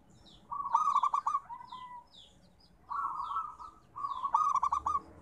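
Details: Zebra dove of local type singing its therapy song: soft rolling coos broken into quick staccato pulses, three phrases in quick succession, while thin high chirps of other small birds sound faintly behind.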